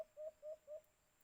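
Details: White-eared brown dove, known locally as alimokun, heard at a cage trap: three drawn-out, hollow low coos in quick succession, each lasting a fraction of a second, then quiet.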